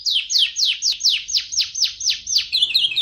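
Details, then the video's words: Atlantic canary singing on a tutor recording meant for training other birds: loud, sweeping descending whistles repeated about four times a second, ending in a quick high twittering chatter. "Masteran Suara Burung Kenari"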